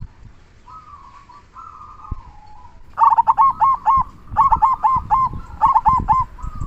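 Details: Local Indonesian zebra dove in active song with a big 'kung' voice, used as a lure to make other doves sing: a soft, faint murmured coo first, then loud bursts of quick, bubbling cooing notes, several short phrases in a row.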